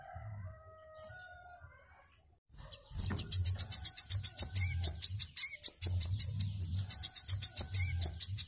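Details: Wiceh singing, recorded as master audio for cage birds: a quiet start with faint whistled notes, then a rapid, insistent run of piercing high chips repeated several times a second, with low rumbling noise beneath.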